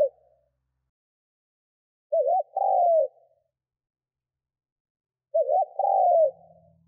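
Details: Spotted dove calling to provoke wild birds into cooing: two full low phrases about three seconds apart, each a short warbling lead-in followed by a drawn-out hollow coo, with a faint low thump near the end and otherwise quiet.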